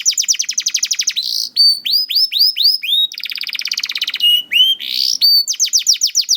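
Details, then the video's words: Juvenile canary singing to draw silent canaries into song, fast chip trills alternating with rich whistled slurs and a buzzy rolling passage, clear and loud throughout. "PANCINGAN KENARI PAUD TERBUKTI AMPUH MEMANCING KENARI SUSAH BUNYI IKUT GACOR"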